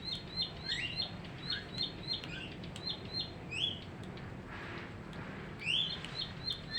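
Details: Bar-winged prinia kept in a cage three weeks after capture, delivering a fast chain of piercing high notes with a few lower slurred chirps mixed in, briefly pausing before resuming.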